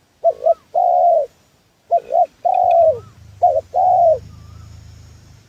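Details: Spotted dove call used as a lure for trapping wild birds: paired short coos followed by a longer drawn coo, repeated twice, with a faint whistle and low rumbling background noise at the end.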